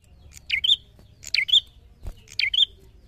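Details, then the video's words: Bar-winged prinia (prenjak) in full song, repeating a sharp, high two-part phrase, a quick downslurred squeak then a bright chip, about once a second, over a faint background hum. "Suara Cemplik cemplik prenjak gacor narung!"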